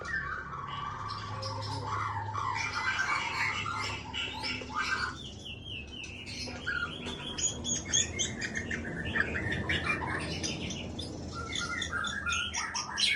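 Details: Captive Aceh white-rumped shama at a breeding aviary sings bursts of varied whistles and rapid chattering trills over a steady rumbling background noise.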